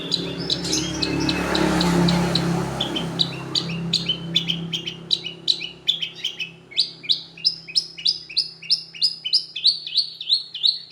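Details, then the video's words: Long-tailed shrike lure song: loud mixed chatter at first, then a long, even series of sharp high chirps repeated about three times a second. "Pancingan Burung Pentet Jawara NASIONAL"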